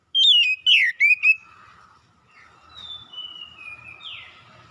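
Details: Oriental magpie-robin song played as a lure to get a reply. Four loud, rich whistled notes with twisting, dropping slurs come in quick succession. Then come fainter, long drawn-out whistles gliding downward, ending with a buzzy falling note.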